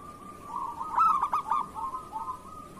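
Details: Local zebra dove, kerot style, recorded as training song for other doves: a soft steady trill swells into a brief burst of quick, stuttered coo notes, then settles back into the level purring trill.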